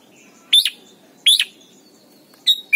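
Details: Red-whiskered bulbul in Thailand, a full song used to train young birds: loud clear whistled notes with slurred inflections, three bursts in under three seconds, faint hum beneath.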